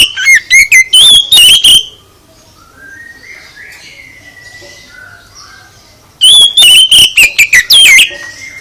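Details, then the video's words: Oriental magpie-robin singing to provoke other birds to reply: two loud bursts of rapid, rich whistles and chattering notes, separated by a few seconds of faint, distant whistling. "Gak Mungkin Gak NYAUT ketika KACER ditempel dengan KICAU ini"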